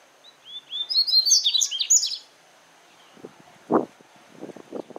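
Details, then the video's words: Wild double-collared seedeater from Paraná, southern Brazil, delivering its regional song: a fast burst of bright, high chirps and downslurred whistles over about two seconds, followed by low thumps and rustling. "Coleiro Canto Regional do Sul"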